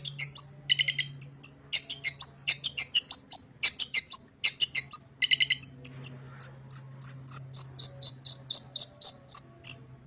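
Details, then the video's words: Singing long-tailed shrike, recorded to prompt caged shrikes into song: rapid mixed high chirps, trills and clipped whistles, settling into a steady run of short bright notes repeated about three per second over a faint low hum. "Burung Cendet Gacor full isian suara paling jernih"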